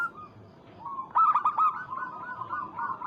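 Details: Local zebra dove cooing to call a rival: a soft, low, rolling series of coos with a few louder stuttered notes near the middle, then continued gurgling cooing to the end.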